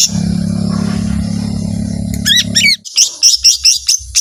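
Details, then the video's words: A loud low mechanical hum dominates at first before a lesser green leafbird cuts in with rapid twisting, rising-and-falling chirps and then a fast series of sharp high whistled notes in its long 'tembakan' singing style. "ijo mini gacor suara tembakan panjang full emosi"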